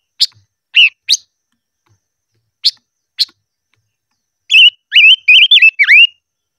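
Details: Silver-eared mesia voice-training song: a few spaced, high, clipped chips and one wavering note, then a rapid, rich warbling phrase of swooping whistles lasting about one and a half seconds.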